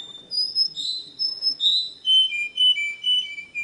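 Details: Canary song for training young singers: rich whistled notes at shifting pitches, followed by a lower series of clear, evenly repeated two-tone whistles.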